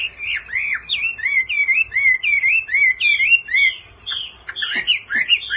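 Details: A female's insistent calls set a male Hwamei singing: sweeping whistled slurs, each dipping and rising, repeated in a lively, uneven sequence.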